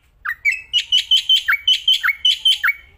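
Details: Black-winged myna, a kept bird singing outdoors and in the hand, loud and nonstop: strident, rising, whistled chirps repeated rapidly and unevenly, each note sharp and ringing.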